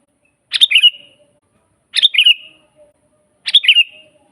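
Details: Sooty-headed bulbul in full song, an original natural recording used to train other bulbuls: three lively chirped phrases that bubble then fade into a short whistle, roughly one and a half seconds apart.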